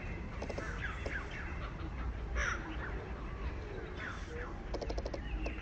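Jungle babblers give harsh, grating chatter, several rasping notes overlapping in short bursts, over a steady low rumble of background noise.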